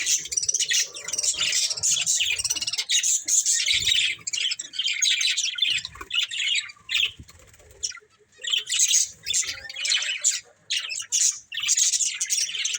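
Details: Budgerigars from a breeding pair chattering in long, high, rasping warbles interrupted by short pauses, quieter near eight seconds before the busy twittering resumes, with faint wing and perch noises.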